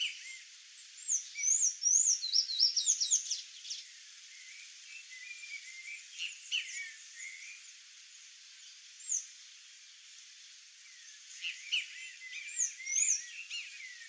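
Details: Sayaca tanager singing a fast run of high, squeaky, jumbled notes early on. Softer thin chirps follow, then another short squeaky flurry near the end, over constant background hiss.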